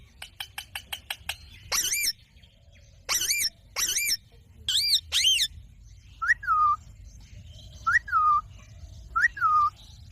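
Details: Talking ringneck parakeet kept as a pet, giving a fast series of dry clicks, then rough, harmonic word-like squawks, followed by three clear whistled notes that rise then fall, repeated about every one and a half seconds.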